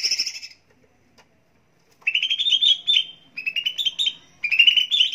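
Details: Green leafbird (cucak ijo) song used as a training and prompting recording for birds: a short bright burst, a pause, then three rich warbled phrases that ripple and rise through a high register, each about a second long.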